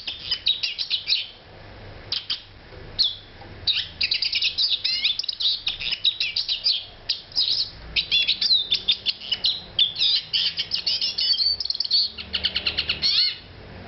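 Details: Eurasian siskin in extended song: long runs of quick, scratchy twitters and trills mixed with thin wheezes that fall in pitch, separated by short gaps, with a quieter stretch near the start.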